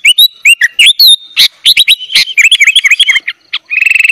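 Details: Chatty sooty-headed bulbul song with many filler phrases for training young bulbuls: looping whistled notes and sharp upward slurs crowd together, ending in a fast buzzy rattle.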